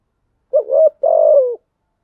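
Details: A single coo phrase from a lure spotted dove meant to stimulate cooing: a brief quavering rising note followed by a longer smooth falling coo.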